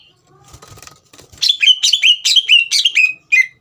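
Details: Lively green leafbird song to rouse a young bird into singing. Soft scratchy sounds lead into a quick series of loud, downslurred whistled notes with harsh overtones, ending in one last separate note.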